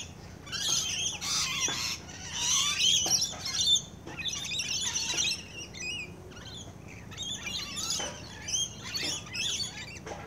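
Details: Rainbow lorikeets feeding nearby produce bursts of shrill, screeching chatter in clusters every second or so, with short gaps and a few lower squeaks between.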